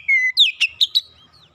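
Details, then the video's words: Brief Oriental magpie-robin lure song for reluctant birds: one clear falling whistle followed by four quick sharp chirps. "kicauan pemikat Kacer bahan susah bunyi langsung gacor"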